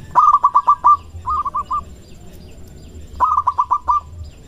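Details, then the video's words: Courting local male zebra dove, loud and vigorous: a burst of rapid rolling coos followed by a softer short run, then another strong burst after a pause. "Perkutut Lokal Gacor Suara Besar Merayu Jantan"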